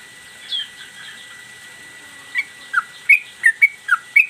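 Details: Yellow-vented bulbul in captivity, master recording in the mbandul Garuda style: faint notes at first, then a burst of six loud whistled notes, some rising, some dropping, in under two seconds.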